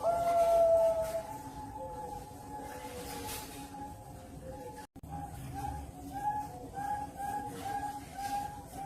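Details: Zebra doves (perkutut) at a bird farm in Cirebon, Indonesia, coo in soft, mid-pitched phrases of short repeated notes, several birds overlapping over a steady background hum.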